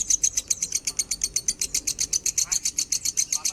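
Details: Lovebird in minor standard-tone song: a steady stream of very high, sharp chirps, roughly six a second, forming an unbroken buzzing chatter.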